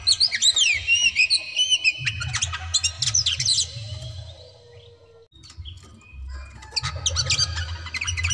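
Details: Oriental magpie-robin (kacer) singing to provoke a rival to fight. Rapid whistled notes and slurred phrases pour out, pause briefly around the midpoint, then resume as a dense burst of sharp chips over a low background hum.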